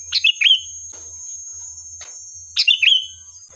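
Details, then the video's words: Sooty-headed bulbul song played as a lure to get other bulbuls to answer: two bubbly phrases of quick stepped notes finishing in a clear sustained whistle, with a few soft clicks and a continuous high-pitched hiss. "Suara Burung Kutilang Gacor, Pancingan Ampuh dijamin nyaut"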